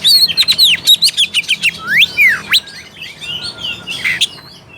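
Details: Oriental magpie-robin song intended to provoke a lazy bird to sing: a quick series of bright descending whistles about three per second, broad upward and downward sweeps, then soft twittering.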